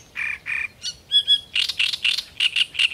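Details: Great reed warbler (Acrocephalus arundinaceus) singing loud, harsh, grating notes, mostly repeated in twos or threes, with a few clearer squeaky notes between the croaky phrases.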